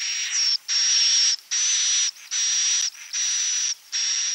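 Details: Edible-nest swiftlet klepek-klepek roosting call, used to attract birds: steady hissing buzzes topped by a fine whistled tone, about five bursts with brief gaps between them.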